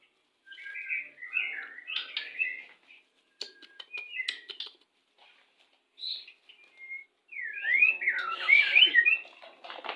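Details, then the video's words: Pastol-type white-rumped shama song, played during pairing to bring birds into breeding condition. Scattered soft warbled phrases and brief clicks are separated by pauses, ending in a louder, rich, looping whistled warble. "PANCINGAN MURAI BATU PASTOL CEPAT BIRAHI"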